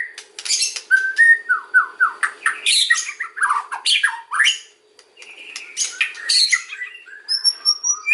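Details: Song of a white-rumped shama, used for luring birds: a series of descending slurred whistles, dense scratchy bursts and high thin notes, delivered fast with a short gap midway.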